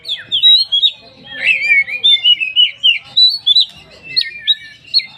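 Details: Oriental magpie-robin in 'poci' style, a lure song to get other magpie-robins singing: fluid string of looping whistles and rapid trills, bright and high, flowing almost without break.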